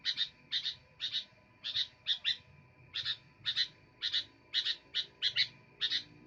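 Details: Sooty-headed bulbul singing eagerly: paired bright chirps in quick bursts with short gaps. A low rumbling background noise runs beneath.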